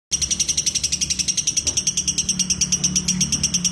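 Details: Lovebird singing in the long ngekek style: a rapid, steady string of shrill, high chattering notes, roughly seven per second, running unbroken for nearly four seconds over a faint low hum.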